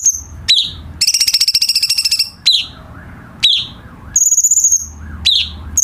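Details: Song of the cucak cungkok bulbul, used to tutor captive birds: a rapid buzzy rattle of many fast pulses, then repeated sharp rising slurred notes and one high thin trill.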